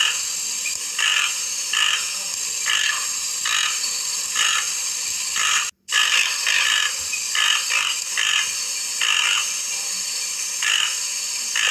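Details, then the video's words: Hoarse, rattling croaks of a Toco toucan, repeated roughly once a second for twelve seconds with a brief break in the middle, against a steady high hiss. "Som do Tucano Toco"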